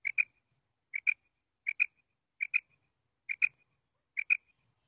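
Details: Morning calls of a female rain quail: crisp doubled high notes repeated steadily about once every 0.8 seconds, six pairs in a row, with nothing else audible.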